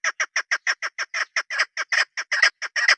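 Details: A hunters' female chukar partridge (keklik), a local mountain bird, gives a steady string of loud, harsh, clipped chuck notes at roughly seven per second, some doubled toward the end.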